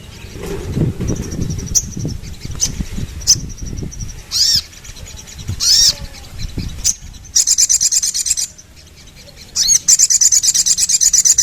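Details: After a stretch of low background rumble and soft high ticking, sharp rising whistled notes lead into loud, rapid, high-pitched rattling trills from a sooty-headed bulbul.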